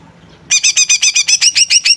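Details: Greater green leafbird singing energetically: silence, then a brisk string of about a dozen high, harsh, two-toned notes, each sliding downward, repeated at an even quick pace.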